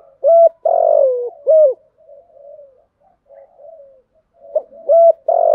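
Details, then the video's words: Spotted dove (cu gáy), an earthy-voiced 'giọng thổ' bird giving the standard 'thúc gù' cooing pattern used for 'kích bổi'. Deep hollow coos come in short pairs and drawn-out notes, with softer murmured cooing between them. "chim cu gáy giọng thổ bài bản thúc gù, chim cu gáy đất bài bản gù thúc, chim cu gáy kích bổi"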